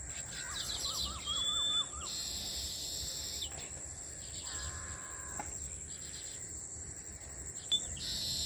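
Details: Weaver birds building many grass nests in a single farmhouse tree: bursts of buzzy, sizzling chatter with a short run of quick repeated chirps, over a steady high insect whine.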